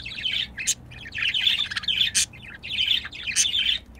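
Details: Pair of domestic budgerigars during mating, a rapid scratchy warble of chirps and squeaks in quick overlapping phrases, with a few sharp high ticks, over a quiet background.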